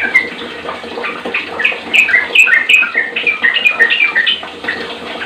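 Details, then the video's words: Trucuk, the sooty-headed bulbul, singing to train other bulbuls to sing often; a lively stream of short liquid whistles and warbles in rapid sequence, with steady hiss behind. "JOS banyak trucukan yg terpancing langsung gacor"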